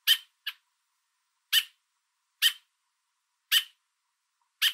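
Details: Loud repetitive calls of an American robin parent perched on a fence carrying food to its baby, Southern Ontario, Canada, directed at a person in the way: a quick pair of sharp chips, then single harsh notes roughly once a second.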